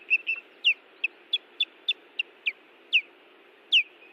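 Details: Nest-defending Ospreys filmed by camera at Hellgate Canyon, Missoula, Montana, on June 18, 2017: about a dozen separate loud, downslurred whistled yelps at irregular intervals against a low steady background hum.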